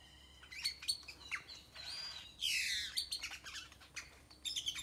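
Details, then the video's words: Tropical tree in Nayarit, Mexico, full of birds: dense high chirping, a rising whistle and a loud harsh buzzy squawk mid-way, then more chirps. "Many bird songs 🎵 fill tropical tree .Nyarit Mexico"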